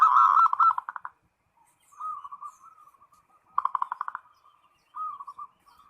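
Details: Zebra dove calling a rival: repeated bursts of fast, stuttering coos that slow into trailing strings of softer coo notes, several phrases in quick succession.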